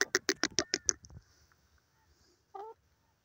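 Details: A pair of grey francolins, called teetar, calling. A burst of six harsh, loud, evenly spaced notes in quick succession stops abruptly, then silence and one short nasal note.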